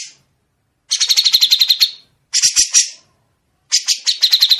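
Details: Grey-cheeked bulbul on a tutoring recording, giving three dense bursts of rapid, harsh, buzzy high notes, each under a second long, separated by clear silent gaps.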